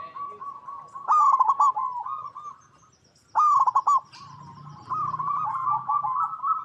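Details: Zebra dove (Geopelia striata) giving soft, rolling, trilled coos in bursts a couple of seconds apart, recorded in its natural habitat, with a low hum in the background.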